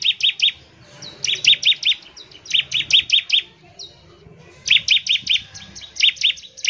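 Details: Bar-winged prinia song in the 'nembak ngebren' rapid style, meant to get other prinias singing; sharp high chips in tight groups of four to six, regularly repeated with short gaps and light background noise.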